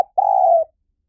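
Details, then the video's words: Spotted dove, a lure recording: a single drawn-out husky coo, steady and gently falling in pitch, about half a second long, after a clipped note at the very start. "เสียงนกเขาใหญ่ หมานๆ ต่อเข้าเร็ว ป่าไหนก็เข้า"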